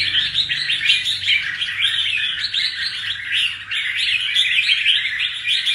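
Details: Red-whiskered bulbul kept in a cage after molting out its wild plumage, singing keenly: busy, unbroken stream of bright chirps and short trills, slightly quieter in the middle, over a low background hum.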